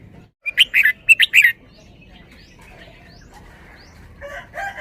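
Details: Red-whiskered bulbul performing the song style known locally as 'ber-ber' (เบิ้ลเบิ้ล). A rapid burst of about six bright, slurred whistled notes lasts roughly one second. Faint scattered chirps follow, then a soft, louder phrase near the end.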